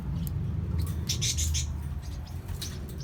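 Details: A young Forpus parrotlet, about 3–4 months old and very playful, gives a few short, high, scratchy chirps in quick bursts over a steady low rumble of background noise.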